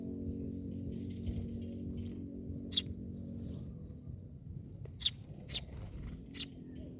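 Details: Myna uttering four sharp, scratchy, harsh notes, one near the start and three in quick succession toward the end, separated by quiet stretches with low background hum.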